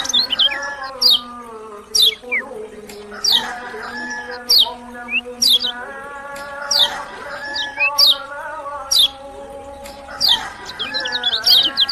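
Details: Lemon-bellied white-eye from Lombok, known locally as kecial kuning, repeating piercing, high, falling notes about once a second throughout, against persistent lower warbling tones in the background.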